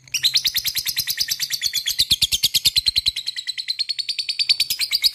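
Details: Long unbroken lovebird ngekek: a dense stream of rasping, buzzy chirps delivered evenly at high speed for over five seconds, loud and near.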